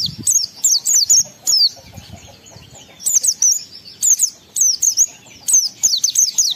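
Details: Oriental white-eye singing in lively ngalas style, used as a lure to rouse emotion and breeding urge in other white-eyes: bursts of thin, very high, rapid twittering notes roughly every second, with brief quiet gaps between phrases.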